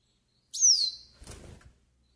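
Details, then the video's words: Yellow-faced siskin (pintassilgo do nordeste), song used for pairing and warming up: one bright, high whistle sliding steeply downward, followed by a soft rustling scratch, then quiet. "CANTO PARA ENCARTE E ESQUENTA PINTASSILGO DO NORDESTE"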